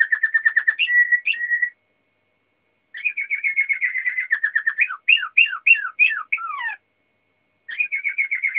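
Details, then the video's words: Waterslager canary singing: rapid trills of repeated notes with short pauses between phrases, shifting into a series of liquid, falling, water-like gurgling notes, then another fast trill. No other sounds. "Kanarie waterslager aan het zingen"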